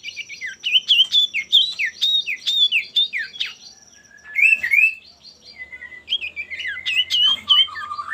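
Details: Male common iora in full song, a lure to set rival birds singing. Repeated sharp downslurred whistles in a fast series, then a pause and a varied tumble of warbled notes over a faint low hum.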